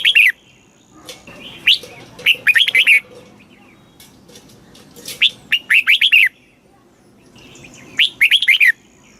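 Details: Thai red-whiskered bulbul singing a southern master-style song meant to rouse caged birds and tutor youngsters: four cheerful phrases of quick warbled notes, each ending in a tight cluster of slurred whistles, with faint background chatter.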